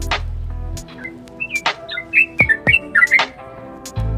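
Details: Yellow-vented Bulbul singing actively with clicking 'nguklik' notes, said to provoke other birds: short liquid whistled phrases rising and falling, sharp clicks between them, a low droning hum at start and end.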